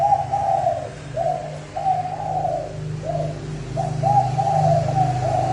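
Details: Rapid decoy cooing from a spotted dove, used to provoke wild doves: a near-continuous string of soft, buzzy coos in linked groups, with a steady low-pitched background hum.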